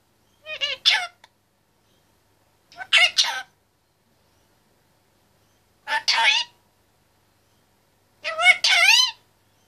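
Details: Talkative 25-month-old male Indian ringneck parakeet in his cage, producing four short bursts of speech-like chatter, raspy and warbling, spaced about two to three seconds apart in a quiet room.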